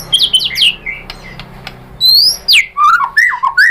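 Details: White-rumped shama singing a provoking lure song: a few quick high slurred whistles, a quieter gap with soft clicks, then loud sweeping whistles dropping steeply, followed by short warbled phrases.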